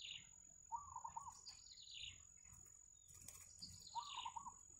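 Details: Yellow bittern family with chicks at a wild nest: a high squeal gliding downward leads into a short wavering trill, the pattern heard twice, with a constant faint electronic whine behind.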